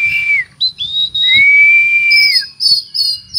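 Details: Oriental magpie-robin singing with cricket-mimicry fill: a clear level whistle, a few short higher whistled notes, then a long sustained whistle that drops at its end, followed by brief high warbled phrases.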